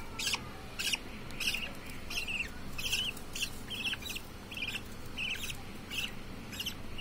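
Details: Newborn budgerigar chicks being hand-fed give harsh, raspy begging chirps, about twice a second.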